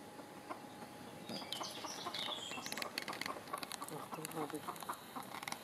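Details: Orpington chicks: thin, high peeps slide up and down in a short burst, with clicks and rustling throughout and a faint steady hum.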